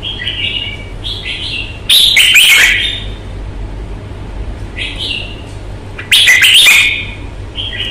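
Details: Red-whiskered bulbul, a caged Vietnamese fighting bird showing its combative display: short whistled notes lead into two loud bursts of fast, rich warbled phrases about four seconds apart, over a constant low background hum.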